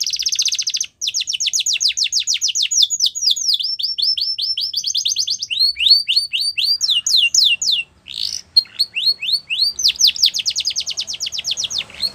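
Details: Yellow canary singing in the wild: a bright, high song built from fast trilled tours of repeated chirps, each tour holding one note type before switching to the next. Buzzy rattles and brief pauses break up the rolling series.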